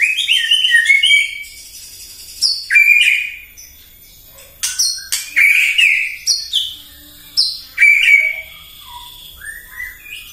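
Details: White-rumped shama morning song intended to provoke other birds: a varied sequence of rich whistles, sharp high notes and scratchy bursts, delivered in phrases with short pauses over ten seconds.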